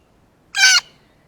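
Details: One short, intense, buzzy scream from an excited blue jay at a ripe banana, recorded up close with a clean, quiet background.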